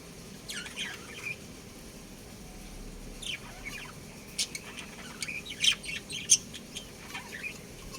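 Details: Budgerigar breeding pair giving chattering chirps: quick, scratchy, up-and-down notes scattered through the recording, thickening into a denser burst of sharp tweets toward the end.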